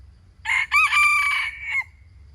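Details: Wild chicken giving a single crow: a hoarse opening note, a quick upward hitch, then a long level strained tone lasting about a second before cutting off, with a faint low hum underneath.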